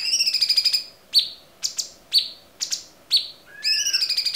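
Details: Cucak cungkok song from a clear-voiced tutor recording for training songbirds: rapid ticking trills at a steady high pitch, then sharp downslurred notes about every half second, ending in another fast high trill.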